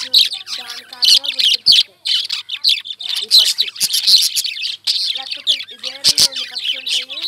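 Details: Flock of Indian lovebirds making sounds: rapid, choppy bursts of high squawky chirps, stopping and starting every second or so, over a soft, changing tonal voice in the background.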